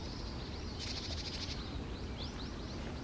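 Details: Japanese tit at Okurayama Park: a brief buzzy churr, then four quick high arched chips about a quarter second apart, over steady low rumbling background noise.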